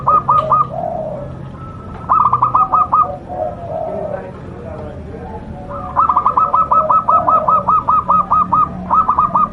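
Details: Local zebra dove singing with a loud, powerful voice: runs of quick, evenly repeated cooing notes in two long bouts, with softer lower coos between them.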